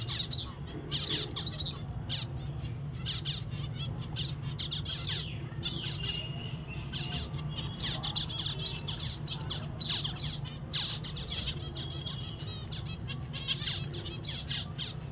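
Zebra finches chatter with a steady stream of short, nasal beeps and chirps over a low hum.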